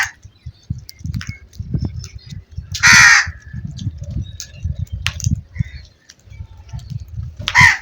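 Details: A single loud, harsh crow caw midway and a second toward the end, set against a steady low rumbling noise.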